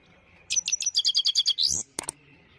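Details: Clean-voiced song of a Himalayan goldfinch, a rapid run of high, sharp tinkling notes closing with a rising slurred phrase, followed by two brief clicks.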